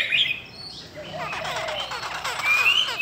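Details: Cow-skin Chinese hwamei female, a call meant to provoke males: a short whistle opens, a quiet gap, then buzzy fast chatter finishing in a clear rising whistle.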